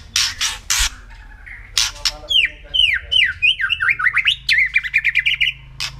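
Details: White-rumped shama singing kretekan, a lure to provoke other birds: harsh broadband rasps open, then a fast run of sharp downslurred whistles and rapid warbled notes near the middle, ending in a scratchy burst.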